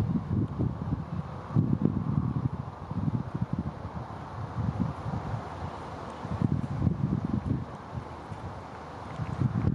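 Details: Gusty wind rumbling against the microphone in low, uneven surges, with no animal voice standing out.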